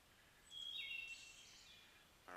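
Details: Field recording of a Wood Thrush's flute-like song: one bright, ringing whistled phrase with pure tones and a short trill-like tail, followed by quiet background before a man's voice begins at the very end.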